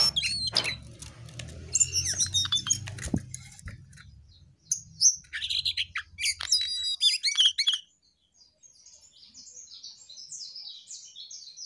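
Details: Jongkangan in gacor song: rapid high chirps and twittering bursts over a low hum for most of the recording, ending in a few faint, soft high notes after a brief silence.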